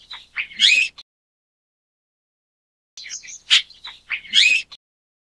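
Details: A Chestnut-tailed starling (Sturnia malabarica) gives two bursts of chattery, squeaky call notes, each about a second long and three seconds apart, with scratchy high accents and silence between.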